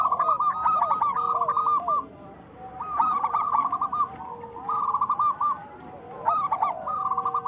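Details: Zebra dove of the local Indonesian type singing frequently, kept as a lure and therapy for lazy or moulting doves: repeated phrases of fast, even, bubbling coos with a drop in loudness between groups and low curved notes underneath.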